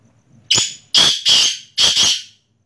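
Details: Loud rasping call of a black francolin (kala teetar): one short sharp note, then two drawn-out harsh grating notes and a final double-pulsed scraping note, all within two seconds against a quiet background.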